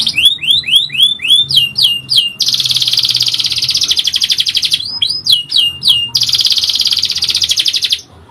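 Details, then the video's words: Lure song of a canary: rising whistled slurs repeated rapidly, alternating with long, rich rolling trills lasting several seconds, then a few more slurs and another sustained trill before stopping. "MASTERAN PANCINGAN KENARI GACOR PANJANG | CANARY SINGING"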